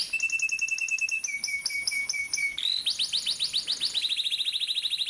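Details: Canary training song meant to help young canaries learn to sing, in a rolling style with tight rolls. A steady high whistled tone with pulses above it drops to a lower pitch, then breaks into rapid, ringing trills of falling notes.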